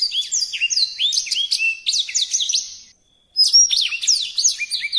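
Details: Songbird singing actively in a tutor recording: quick high whistles and downslurred notes in busy phrases, broken by a short silence, then resuming with sharp rising and falling notes.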